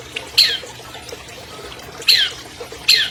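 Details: Albino champion long-tailed shrike of 2020, recorded as a lure for non-singing birds: three loud harsh downward-sweeping squawks spaced irregularly over a faint background.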